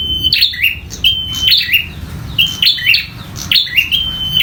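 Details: Bar-winged prinia, local type, calling in a fight: loud high chirped notes linked by flat whistles, repeated in quick bursts about once a second over a low background hum.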